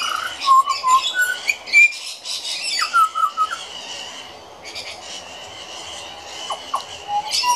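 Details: Juvenile pied butcherbird, one of the regular young visitors to a garden, practising its song: clear fluting whistles and short slurred notes at varied pitches, interspersed with scratchier squawky phrases and a few rising upslurs.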